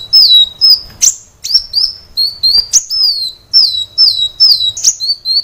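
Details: Kolibri wulung (brown-throated sunbird) in a training recording for caged birds: high, clear whistled notes sliding downward, repeated in quick succession and broken by sharp, bright chips.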